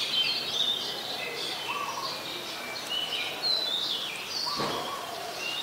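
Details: Black-collared starlings in Ubon Ratchathani, Thailand, 12 July 2020, giving a jumble of overlapping high, squeaky whistles and short rising notes against a steady hiss.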